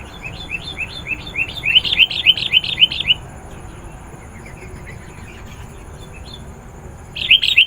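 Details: Sooty-headed bulbul in full, chatty voice, played to lure wild bulbuls: a quick run of about a dozen bright, slurred chirps repeated several times a second, a pause, then another burst of the same chirping.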